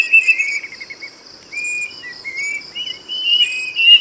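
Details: Plaintive cuckoo singing: clear sliding whistled notes, some rising and some falling, given in short phrases over a steady high insect hum.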